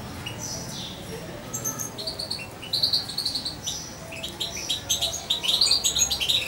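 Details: A young European goldfinch, about two months old and hand-fed by syringe, gives thin, high tinkling chirps and short twittering notes in quick, irregular bursts over faint background hiss.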